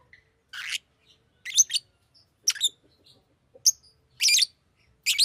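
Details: Fischer's lovebird, a pet bird, giving sharp, high chirps and short squawky bursts, spaced irregularly about once a second, in a quiet room.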